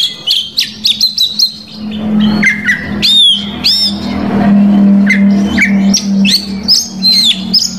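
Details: Oriental magpie-robin belting out a varied song to provoke rival males: quick bursts of high chips and whistled slurs, then a noisy middle stretch over a steady low hum before sharp notes return.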